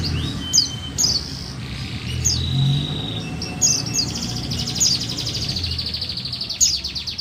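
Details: Female buxtoni white-eye calling to draw lazy males into song: sharp high chirps with short downslurred notes, some thin level whistles between them, and a fast rattling trill near the end. Low background hum.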